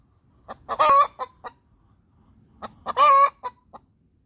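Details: Hen giving her laying song after laying an egg: two loud harsh cackling squawks, each led and trailed by short clucks, with a quiet gap between them.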